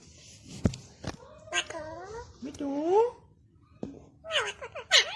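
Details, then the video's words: Alexandrine parakeet, a pet indoors, mimicking human speech: short voiced phrases like "me too" with rising and falling harmonic tones, plus a meow-like imitation, separated by brief clicks and pauses. "Talking parrot"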